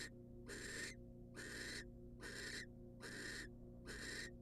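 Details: A wild female barn owl at a nest box takes a rat from her mate, giving five rasping, noisy hisses, each near half a second, spaced evenly with short quiet gaps.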